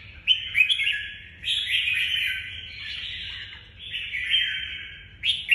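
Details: Red-whiskered bulbul in the Vietnamese 'nhảy cóc' singing style: a series of rolling, slurred whistled phrases, each about a second long, rising and falling in quick succession over a soft low hum.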